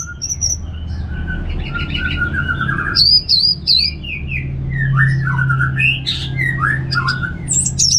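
Orange-headed thrush sings a varied run of rich whistles, slurred notes and high squeaky phrases, with a low steady hum underneath.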